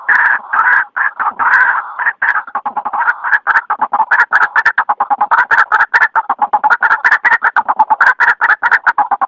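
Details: Night-time lure recording of a white-breasted waterhen: a rapid run of rough, clucking notes pulsing several times a second, slightly more choppy toward the end, with nothing else clearly audible.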